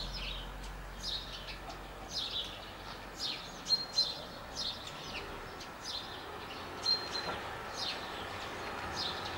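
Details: Singing common starling (Sturnus vulgaris) delivers a varied medley of high, scratchy notes, falling slurs, clicks and a couple of thin, pure, level whistles. It continues without pause over constant background noise.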